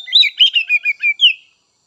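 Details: Kacer (Oriental magpie-robin), untrained and spotted juvenile birds, used to stimulate others. A quick string of about seven chirping, slurred notes in little more than a second, ending in one clear downward whistle.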